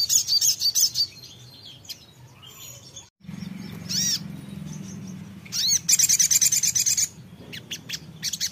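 A songbird sings in quick bursts of high, sharp chirps and trills, with a few clear whistled notes in between; a low hum runs underneath.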